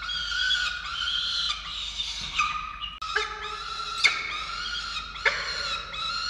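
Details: Nest-camera recording from Orange, Australia, 13 November 2022, three falcons during the feeding of chicks: continuous grating, harmonic wails with sharp, rising squeals breaking in near the fourth and fifth seconds.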